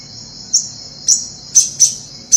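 Sharp, high sunbird chips, about five in two seconds at an uneven pace, over a steady thin insect-like hiss.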